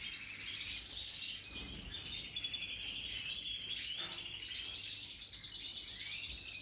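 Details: Several European goldfinches of the Major type, recorded 2023: long continuous twittering with rapid trilled runs and bright chirps, a short dip around the middle, then resuming steadily.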